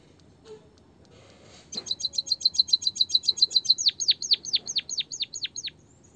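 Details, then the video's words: White-headed munia training song meant to coax a quiet bird into singing: after a short hush, a fast string of bright high chips, then a series of sharply descending whistled notes repeated rapidly, clean and clear. "pancingan emprit kaji malas bunyi biar gacor - burung pipit bondol kaji suara asli"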